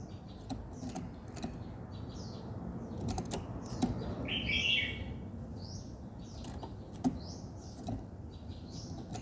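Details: Several birds sing in the morning. A loud, rich warbled chirp stands out midway among scattered high, faint whistles, and regular clicking and tapping noises run through the recording.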